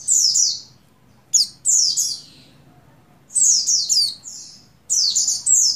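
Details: Oriental white-eye female in breeding condition summoning a male, played to stimulate buxtoni males, dated 7/3/21: clusters of shrill, descending twittering notes in four bursts, with quiet gaps, soft background hum.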